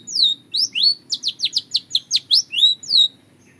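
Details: Belgian canary producing a measured series of bright swooping chirps, some rising and some falling, roughly three per second, clean and high-pitched over a faint low hum.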